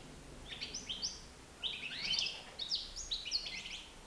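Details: Young European goldfinch, nine months old, free in a living room; quick tinkling twitter of high buzzy notes in clustered bursts, busier in the second half, steady faint indoor hum beneath.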